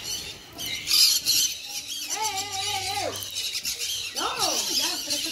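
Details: Harsh high squawks from a sun conure, with a drawn-out flat tonal note midway and a quick rising-falling call near the end over a rasping background.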